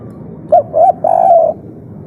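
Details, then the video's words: Spotted dove in an agitated 'kuk 3' phrase, local natural voice used as a lure to draw replies. A brief coo, a wavering double-humped coo, then a long held coo, against steady background hiss. "Suara asli tekukur kuk 3 ngamuk - raja pancingan langsung nyaut"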